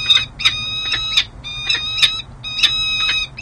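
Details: Peregrine falcon pair at the San Jose City Hall nest ledge, California, 13 January 2024, the female courting the male out of season; loud harmonic, creaky calls in grouped bursts of three or four, repeated roughly every half second.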